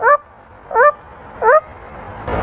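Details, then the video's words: African grey parrot, a talking pet, answering a request to bark with three short yelping bark imitations, each rising and falling, spaced about 0.7 seconds apart, followed by a brief burst of rustling noise. "fast talking bird African grey parrot"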